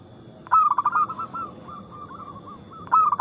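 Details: Local perkutut, or zebra dove, with a clear, loud, fast song, played to coax silent doves into singing. A sudden burst of quick stuttered coos fades into a soft, drawn-out cooing, then a loud note returns.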